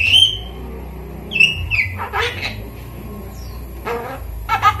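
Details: Hand-reared five-month-old Javan myna kept as a pet and being taught to talk; opens with a sharp falling whistle, then a brief whistled note and a few harsh raspy bursts separated by quiet gaps.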